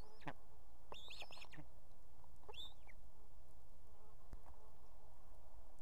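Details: Female osprey at a nest with two chicks in Estonia, calling the male to bring food; short rising whistled calls with a cluster of squealing notes near the start, over steady background noise.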